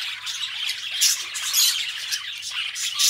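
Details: Two companion budgies in a dense scratchy warble, with harsh squawk bursts about every half second over continuous twittering and a faint low hum.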